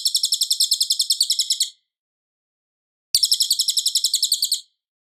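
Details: Loud, clean cililin song for training white-rumped shamas: two bursts of quick, high, chattering notes, each about one and a half seconds long, separated by over a second of quiet. No other noise.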